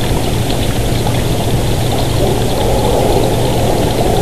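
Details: Constant broadband rushing like running water or an idling engine covers everything, with no animal call apparent.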